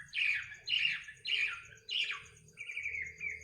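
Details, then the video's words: Bird singing at midnight: four harsh, descending buzzy notes about every half second, followed by a steadier trilled phrase, with a faint constant high whine in the background. "kicau burung di tengah malam"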